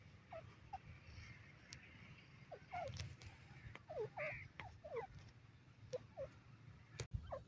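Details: Francolin (teetar) calls: quick, clipped notes that rise steeply, some paired, repeated at uneven intervals against a constant low rumble, with a few sharp clicks near the end.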